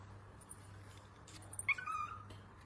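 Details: Pet cockatiel indoors during peekaboo play gives one short, clear whistled call that drops slightly in pitch, amid faint rustles and a low room hum.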